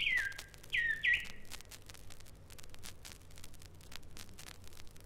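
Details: Rüppell's Robin-Chat from East Africa mimicking an Emerald Cuckoo. Three clear, high, dipping whistles come within the first second and a half, followed by quiet background hiss.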